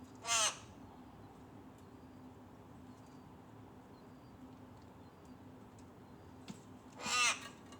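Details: Rook chick pestering its mother for food: two harsh, raspy caws, one at the start and one near the end, with a long quiet gap and a steady low hum between.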